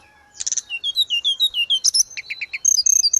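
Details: Grey-cheeked bulbul in vigorous 'gacor' song, used as therapy and tutor audio for caged birds: a burst of high notes, then a run of clear whistled slurs stepping up and down, sharp descending chips, and a fast high trill at the end.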